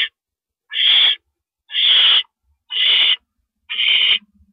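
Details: Owl calling at the nest as the male delivers a rabbit, 1:11 AM on April 6, 2012; four evenly spaced harsh, hissing screeches roughly one second apart.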